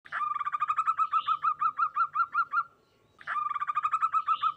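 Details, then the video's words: Local zebra dove, a clear-voiced perkutut, singing a rapid series of repeated hooked notes around the same pitch, a short pause, then the same burst again. "Suara perkutut lokal sangat jernih"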